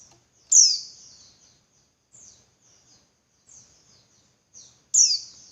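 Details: Female white-eye calling as a lure for males to sing more keenly: loud, high, downslurred chirps at the start and end, with several softer, thin chirps scattered between.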